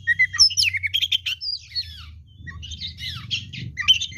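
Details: Oriental magpie-robin in lively song pours out a dense, continuous stream of mixed whistles, chattering notes and slurred phrases, backed by a constant low hum.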